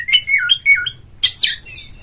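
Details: Caged oriental magpie-robin from Indonesia in full ngeplong song, meant to get other magpie-robins singing; quick slurred whistles falling then rising, followed by a harsh, buzzy upward phrase.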